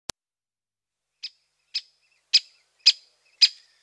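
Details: Great spotted woodpecker, widespread in Europe and northern Asia, giving sharp, high "kik" notes about every half second, getting slightly louder, after a single click at the start.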